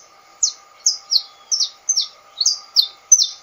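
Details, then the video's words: Canário-da-terra or saffron finch: evenly spaced, loud down-slurred high notes, roughly eight in three and a half seconds, each a bright sweeping chip, with a low steady hum behind. "o cantador canário da terra"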